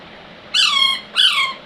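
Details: Two loud, raspy squawks from a baby Alexandrine parakeet, each half a second long with a downward slur, heard at close range in a small room.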